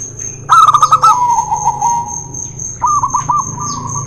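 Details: Zebra dove song from a local-versus-white duel, played to prompt reluctant birds: a loud burst of fast staccato coos trailing into a rolling phrase, then a second quicker series, with a steady high whine.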